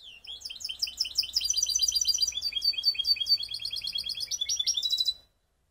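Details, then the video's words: Canary hybrid singing in Skopje: a continuous stream of quick, high, sweeping chirps and warbles, delivered densely for about five seconds before stopping sharply. "Canary mixed best song"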